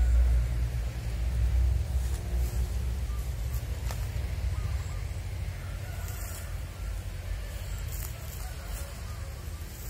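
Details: Steady low engine rumble with scattered clicks and knocks, and no animal voice heard.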